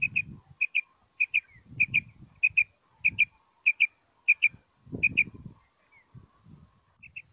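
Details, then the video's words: Common quail giving sharp, liquid, high-pitched notes in quick pairs and triplets, repeated about every half second, over low rumbling background noise; used as a hunting call. "Batair ki Awaz, Batair Sound vol Common Quail Coturnix Quail Sound"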